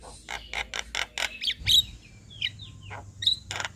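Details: Javan myna chattering for use as a training master for other birds: a fast run of rasping notes, then sparse clear whistles separated by short pauses.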